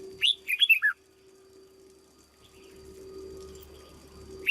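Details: A caged red-whiskered bulbul in training as a decoy sings one quick phrase of five chirpy whistled notes at the start, followed by a low steady hum and soft rustling.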